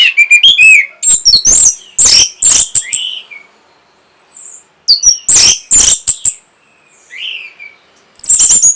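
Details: Orange-headed thrush song for stirring breeding condition and drawing a reply from other thrushes: loud, varied phrases of rising and falling whistles mixed with harsh, scratchy bursts, delivered in rapid clusters separated by short pauses.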